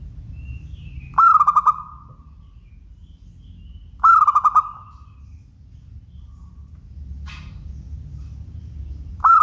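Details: Local-strain zebra dove singing clear cooing phrases. Each opens with a brief stuttered burst and ends in a steady, slightly wavering note. Phrases repeat about every three seconds over a low background hum.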